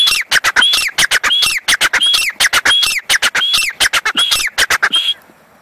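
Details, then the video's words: Grey francolin, tied to a caught chick: dense, loud, grating squawks repeated steadily, broken by bright rising whistles every second or so, ending on one drawn-out whistle before quiet. "teetar ka baccha pakda Gaya grey francoline voice Desi Teetar ki awaz grey francoline voice"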